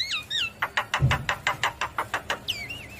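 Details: Javan myna in lively song with nodding display: two twisting whistled phrases, then a series of sharp, clicky notes about every fifth of a second with a low thump, ending in a wavering upslurred whistle.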